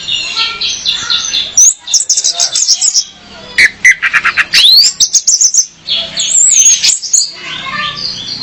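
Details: Female orange-headed thrush in full song, intended to lure a male and train captive birds; rambling warbles and buzzy chatter, a rising sweep, clusters of rapid high chips, and a thin high whistle near the end.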